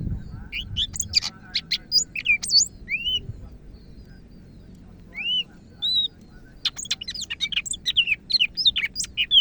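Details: Greater green leafbird from Medan in vigorous song: rapid clusters of sharp chirps and clear rising whistled slurs, a near-silent pause mid-way, then a dense run of varied high notes; faint low rumble beneath.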